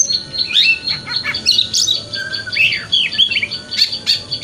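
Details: Magpie-robin singing in the wikplong style as morning therapy to prompt tail opening: energetic jumble of sharp chirps, scratchy notes and clear swooping whistles, delivered fast and almost without pause.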